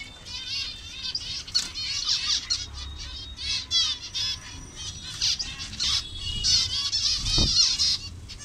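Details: Zebra finch colony of mixed colour variations in Bangladesh, many birds calling together: dense nasal, harmonic chattering calls overlapping continuously, with a brief low thump near the end.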